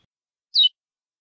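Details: A single bright, slurred seedeater note, high and falling slightly, lasting a fraction of a second against silence, from a classic curió praia song meant for correcting a bird's song.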